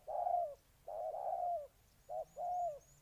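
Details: Ninh Thuận spotted dove from Vietnam: one long, drawn-out coo, then a longer doubled phrase, then a quick short note followed by a longer one, all mellow and low.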